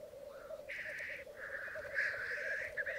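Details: At a May 2022 morning lek on a bog in Mykland, Norway, where twelve black grouse males and two females gathered: unbroken low bubbling cooing overlaid by repeated hoarse, drawn-out hissing calls.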